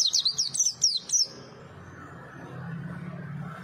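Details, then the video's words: Small white-eye, or pleci, twittering: a quick run of high, sweet zigzag chirps for about a second, then quiet with a low hum. "Kicau merdu si burung PLECI - si kecil suara cabe rawit"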